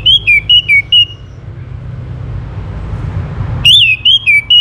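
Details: Orange-headed thrush song meant to provoke other birds into singing. Pairs of sharp, high whistled notes, each falling at the end, repeat rapidly, break off for a noisy pause, then resume.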